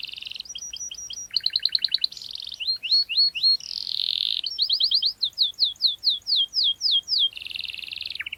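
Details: Canary in full energetic song, pressing rivals: changing tours of trilled notes, a loud buzzy burst, rapid falling whistles repeated steadily, ending in a broad buzz and a dropping slur.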